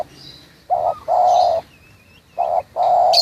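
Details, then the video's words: Close spotted dove, local to Munjung Agung, Tegal, giving two rounded coo phrases, each a short note then a long mellow drawn note, while small birds chirp thinly in the background. "Suara panggilan tekukur lokal"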